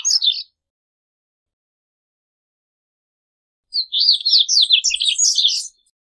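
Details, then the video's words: Singing corbatita (Double-collared Seedeater), used to teach and attract birds: a brief high note fragment, a long silence, then a two-second run of quick, sharp, high-pitched twittered notes rising and falling. "CORBATITA CANTANDO - MEDIA HORA DE CANTO DE CORBATITA"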